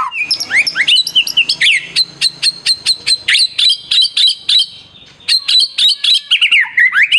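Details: White-rumped shama song intended to set other shamas singing: a rapid series of sharp, clipped high notes repeated several times a second, opening and closing with swooping whistled slurs.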